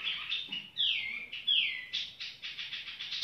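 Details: Tiểu mi bird song of harsh buzzy notes and two loud downslurred whistles, followed by a rapid run of short rasping pulses, with faint background hiss.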